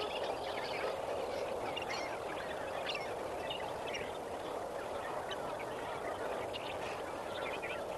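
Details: At Kamfers Dam at sunrise on 18 May 2024, a dense, continuous chorus of lesser flamingos: many overlapping nasal gabbles and short honks form an even wall of sound throughout.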